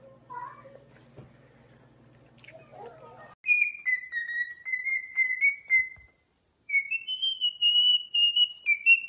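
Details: Parrot whistling after a few seconds of quiet room noise, long clear notes sliding gently up and down in a melody, a brief silence, then a higher sustained whistled phrase.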